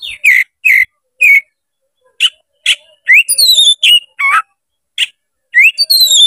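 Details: White-rumped shama (kacer) singing after being provoked to fight: loud, varied whistled phrases, sharp rising notes and buzzy bursts in quick irregular succession, with brief silent gaps between.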